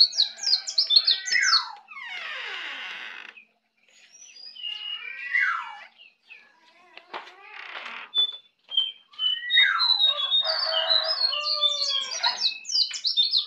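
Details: Young Bali white-eye learning to sing in the ngeplong style: varied high chattering notes and downslurred whistles, interrupted by broad rushing bursts and quiet gaps, with some indoor background sounds.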